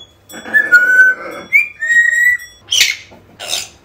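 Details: Calls of an African grey parrot meant to draw a lost pet home: long level whistles, a brief upward slide, then two short noisy squawks near the end.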